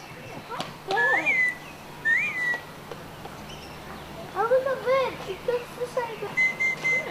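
Crimson rosella giving two clear rising whistles, then a quick run of lower, throaty chattering notes, and finally a long, level, high whistle.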